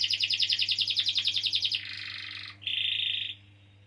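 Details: Canary in full song, a long rolling performance used to coax other canaries that are young or have stopped singing: fast pulsed trills repeated several times a second, then a buzzy section and a sustained bright rattling trill.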